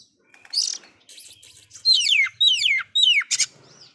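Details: Oriental magpie-robin delivering loud song with filler phrases, said to anger other magpie-robins: a rough opening chirp, then three strong whistles each gliding steeply down, and a final harsh note.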